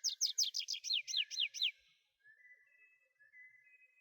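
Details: Tree pipit song phrase of about nine evenly repeated, high, down-slurred notes over nearly two seconds, followed by thin, drawn-out whistled tones that fade away.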